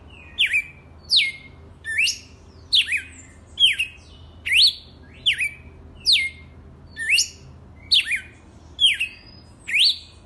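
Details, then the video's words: Song of a red-cowled cardinal, said to be truly wild: clear, sweeping whistles that dip then climb, delivered in a regular string of roughly a dozen phrases with short pauses between, against quiet low rumble. "Galo de campina SELVAGEM RAIZ"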